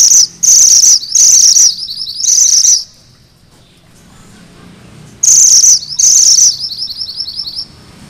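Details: Sunda bush warbler with a lively rolling 'ngerol' song. Its voice is used as master material for training magpie-robins. Loud, buzzy, high bursts alternate with rapid sawtooth trill phrases, then a quiet gap before two more bursts.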